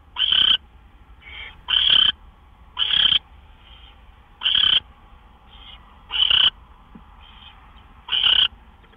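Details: Owl calling at its nest around midnight, March 26, 2013, during gopher drop-offs; six strong harsh screeches about every one and a half seconds, alternating with fainter short hisses.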